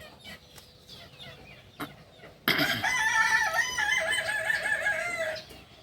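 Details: Kukuak balenggek rooster, native breed of Solok, West Sumatra, crows after quiet background sounds: a sharp loud onset then a long wavering stepped crow of repeated undulating syllables, dropping off near the end.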